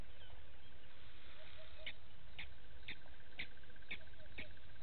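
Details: A Blacksmith lapwing of a family with one chick at Gowrie dam waterhole, Djuma Game Reserve, Sabi Sand, South Africa, gives sharp metallic 'tink' notes, about two per second, over low rumbling; 06:28, 09/08/18.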